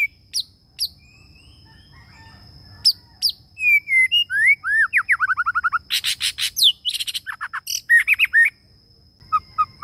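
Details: Young caged male white-rumped shama, one year old, after its first moult, singing vigorously in Vietnam: a rich, fast run of whistles, downslurred notes, rapid repeated trills and harsh clicks, varied and loud, about ten seconds long.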